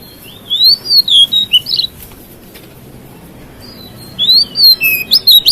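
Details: Oriental magpie-robin singing to provoke other magpie-robins: two bursts of loud, clear whistled phrases that sweep up and down, with short sharp notes, separated by a two-second pause over a quiet background hiss.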